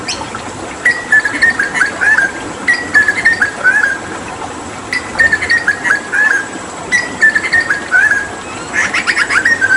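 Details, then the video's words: Hooded butcherbird, a Papuan mimic used to tutor other songbirds, repeating the same short whistled phrase four times, about every two seconds, ending with a burst of sharp clicking notes. "Masteran Tembakan JAGAL PAPUA gacor"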